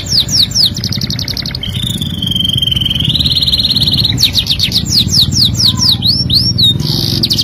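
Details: A singing canary used as a training tutor runs through falling whistled notes, a long lower rolling trill, then fresh bursts of downslurred and upswept notes, ending in a bright high chatter above a low hum.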